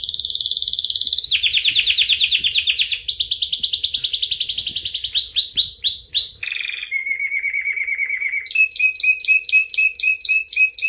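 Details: Singing canary pouring out fast rolling trills at several pitches, a descending series of sweeping notes, a lower steady trill, then crisp repeated chirps about four each second to the end.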